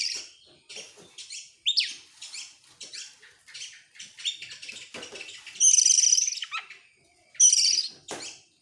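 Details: Excited Oriental magpie-robin (kacer) singing with tail opened in its 'nembak' style: a varied run of scratchy chips, rising whistled slurs and rattling phrases, then two long, loud, rich warbled bursts near the end.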